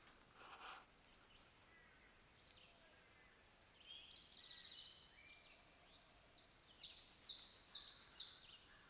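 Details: Early morning in Southeastern Ohio, a Common Yellowthroat sings a quick, bright run of high repeated 'witchety-witchety-witch' phrases, with an Eastern Towhee and other birds faintly calling, over soft outdoor hiss.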